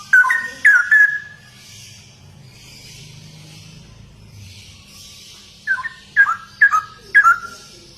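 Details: Cucak rowo (straw-headed bulbul) giving a short burst of loud, slurred whistles, then a long hush with faint hiss, ending with four or five separate rich whistled phrases at roughly half-second spacing.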